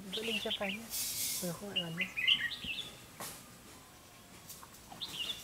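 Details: A red-whiskered bulbul acting as a trapping lure to draw in a competing male sings quick, cheerful phrases of slurred whistles, mixed with lower harmonic sounds and rustling.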